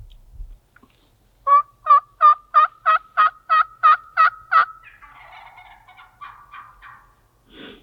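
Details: A strutting Merriam's wild turkey hen in Utah gobbles: a rapid, rattling series of about ten gulping notes over three seconds, trailing into softer clucking chatter.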